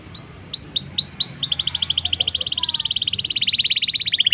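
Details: Black-throated canary singing to prompt canaries: a short series of rising upslurred whistles leading into a dense rapid trill that continues steadily, gently falling in pitch toward the end.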